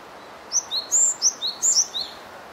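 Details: Japanese tit on 12 April 2018 gives about eight thin, high, quick notes in under three seconds, alternating sharper high and slightly lower pitches, over a faint background hiss.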